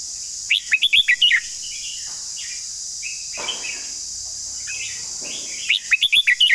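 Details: Long song of a red-whiskered bulbul. A rapid run of bright, rising and falling whistles opens the clip and returns near the end, with quieter chirps and a constant shrill insect drone between.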